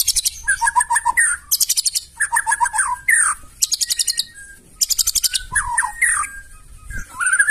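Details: Loud, rough White-rumped shama song used to goad other birds into replying. Bursts of rapid repeated ticking notes alternate with short whistled phrases, in several spaced bouts.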